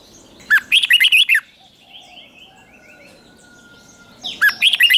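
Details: A red-whiskered bulbul gives lure song to attract wild birds, two bursts of rapid, bright warbled notes separated by several seconds of quiet with faint background chirping.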